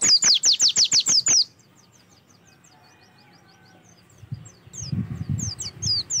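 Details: Oriental white-eye song played to prompt singing: a fast string of high, descending notes, then a lull, followed by low rumbling noise and a few high notes.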